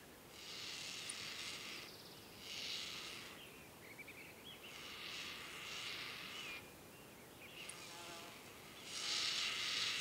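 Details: Juvenile black-faced ibis (Theristicus melanopis), pale, in a family group on a woodland meadow at Isla Teja, Valdivia, Chile, on a January summer day, begs for food with harsh, hissing shrieks in one-to-two-second bursts, five times, bobbing its head, ignored by the adult.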